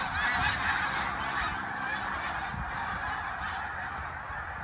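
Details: A flock of snow geese flying over on the Eastern Shore, a dense, steady chorus of nasal, yelping honks overlapping continuously, several calls every second.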